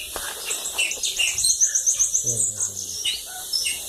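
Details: Bananaquit singing by a lagoon, a very high, thin, hissing run of rapid notes packed into about a second and a half, with scattered chirps and a faint insect-like buzz around it.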